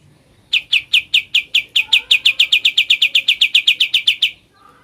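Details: Ngebren-style song of a sooty-headed bulbul, one sustained burst of about twenty quick, sharp, identical chip notes delivered in a steady run lasting under four seconds.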